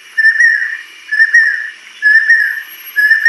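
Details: Adult female banded kingfisher singing: a clear whistled note with a slight rise, repeated about once a second, four times, each note about half a second long, with quiet pauses between.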